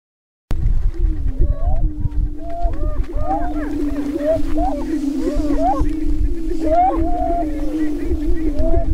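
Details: Greater prairie-chickens displaying on a lek near Crookston, northwest Minnesota, April 27, 2013, during the spring mating dance: a steady low moaning drone runs underneath while many rising and falling whooping calls overlap above it, with a dense chorus and rumbling wind.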